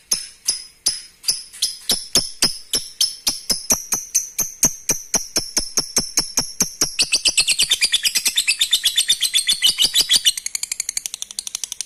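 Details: Lovebird song to stimulate breeding: crisp high ticks repeated evenly, speeding up steadily, then breaking into dense, warbling, rapid chatter after about seven seconds, with a few ticks at the end.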